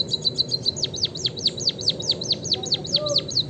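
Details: White-headed munia, locally called emprit kaji or bondol haji, singing actively: a fast run of high, steeply falling whistled notes, about four per second, over a low steady background hum.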